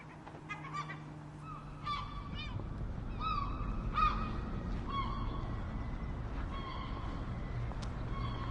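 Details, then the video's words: Gulls giving loud, harsh calls in short bursts, several clear yelping notes with bright harmonics spaced irregularly over about eight seconds, over a steady low rumble in the background. "The Sound of Seagulls | Why Are Seagulls So Noisy?"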